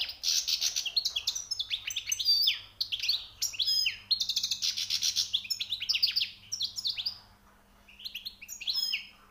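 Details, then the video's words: A newly caught European goldfinch sings long bursts of fast liquid twitters, wheezy buzzes and trills, with short gaps between phrases and a faint steady hum. "غناء_ مقنين_ جديد_ نوطاة_ عاليه_ومفقودة_حسون _صيد جديد_#chant chardonneret"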